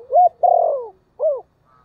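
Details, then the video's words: A single phrase from a spotted dove decoy calling wild birds. A rising short coo, a long burry sustained note sliding down, a pause, then one arched, falling final coo. "Tiếng chim cu gáy mồi gáy gọi giọng rất hạp bổi"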